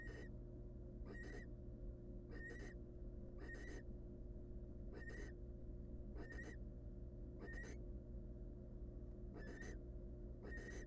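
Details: Food-begging calls from hungry wild barn owl nestlings in a nest box: short breathy hisses, often paired, recur a little over once a second in a long steady series over a low electrical hum.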